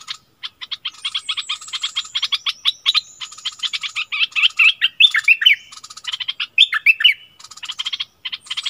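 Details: Streak-eared bulbul used as a decoy bird, February 2021. Scattered short chirps build into lively warbled phrases of rising and falling slurred notes, broken by brief gaps and some rapid buzzy ticking.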